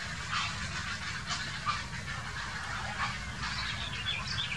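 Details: Grey herons quarrelling, recorded in 2018: harsh, rasping broadband calls come in short bursts about once a second over a busy chatter of other birds and a low background rumble.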